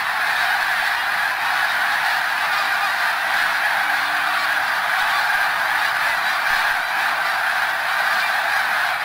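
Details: Large flock of snow geese at Middle Creek, Pennsylvania, producing a continuous chorus of yelping honks, countless voices layered into an even, roaring din that never pauses.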